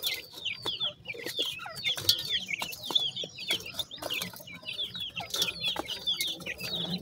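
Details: Pheasant chicks at feed, partridges possibly among them; dense, continuous high peeping, each note a quick downward slur, mixed with clicks of pecking and brief flutters.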